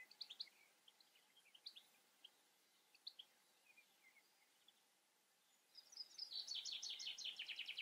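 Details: European goldfinch observed outdoors. Faint scattered high twittering notes, then a louder burst of rapid, tinkling, slightly buzzy twitters in the final two seconds, over a steady background hiss.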